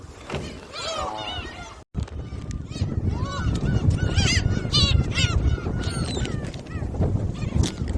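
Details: Gulls at Jebudo, South Korea, crowding while being fed shrimp crackers: overlapping harsh, arched mewing calls in bursts, a short dropout near two seconds, and a strong low rumble of wind or engine throughout.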